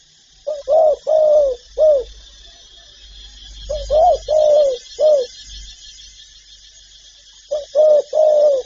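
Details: Spotted dove repeating its calling phrase three times: each is a burst of three to four low, rounded coos, the middle one longest, separated by pauses of about two seconds.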